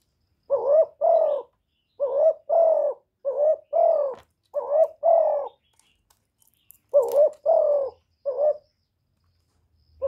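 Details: Spotted dove (cu gáy) decoy bird giving repeated call and coo phrases: about seven deep double-hooted coos, paired notes separated by short gaps and a longer pause, low and even in pitch, otherwise quiet.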